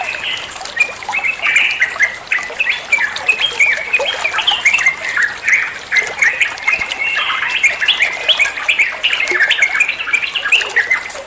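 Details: Song of the olive-winged bulbul, meant to prompt other birds to answer: a long, lively run of bubbling, warbled notes and squawky chatters delivered almost without pause.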